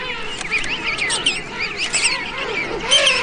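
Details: Hundreds of King penguins in a dense chorus, many overlapping warbling, trumpet-like whistles rising and falling together in a constant, busy din.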